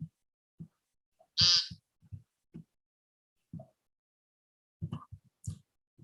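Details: Male American Woodcock in the Northeast USA giving one loud, nasal, buzzy peent call on the ground, the call monitored in surveys, followed by faint high ticks, with soft low thumps scattered through the quiet.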